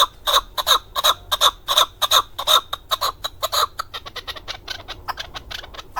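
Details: Male hunting chukar partridge, Darvoz district, Tajikistan, 2020: loud, evenly spaced, ringing chuk notes that quicken and soften into a rapid, lighter chatter in the second half.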